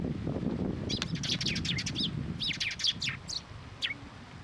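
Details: Several sparrows come to a post to be fed at a Tenmangu shrine on 5 May 2023. Bright, quick chirps overlap in a dense burst, then thin out to single notes, over low rumbling background noise.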